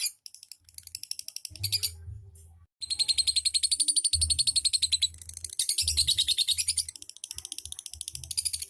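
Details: Lovebird song in the ngetik and ngekek styles: scattered high chirps, a short silence, then a sustained, fast, machine-like chatter of shrill notes, with a low hum in bursts.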